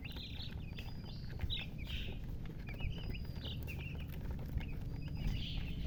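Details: Newly hatched chicken chicks peeping: short high chirps in loose clusters, some rising and falling, scattered through the stretch over a steady low rumbling hum.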